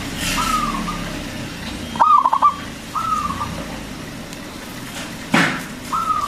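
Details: Local zebra dove used as a lure for other doves: several soft drawn-out coos and one rapid pulsed phrase in the middle, with a sharp click and steady background hiss.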